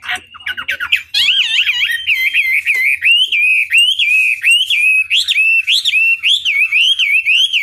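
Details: Chinese hwamei singing a long tutor phrase used to goad other birds into responding: after a few scratchy opening notes, a steady stream of bright looping whistles repeats about three times a second, rising and falling.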